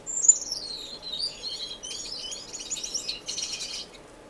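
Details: Finch song from an indoor, non-breeding community aviary in Edmonton, Canada, in March: a thin high note slurring downward, followed by a busy, chattering jumble of high twittering notes.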